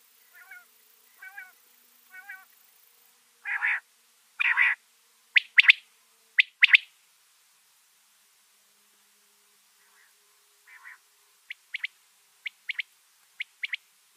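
A common quail gives short, sharp, high notes in quick bursts, a call that draws other quail in.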